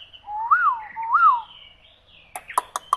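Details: Hwamei singing two loud clear arched whistles, then softer wandering whistled notes and a few sharp clicking chips at the end.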